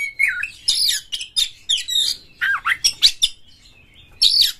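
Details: Kacer, the Oriental magpie-robin, singing a rough, varied lure song to prompt other birds; dense scratchy and whistled phrases in quick bursts, with sweeping downslurred notes and a final high buzzy burst after a short gap.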